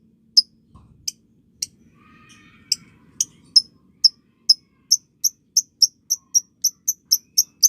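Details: Young lovebirds, described as recently fledged and newly moulted, in a ngekek chatter: sharp high ticking notes that start sparse, then quicken into a steady, rapid, evenly spaced series, with a faint low hum underneath.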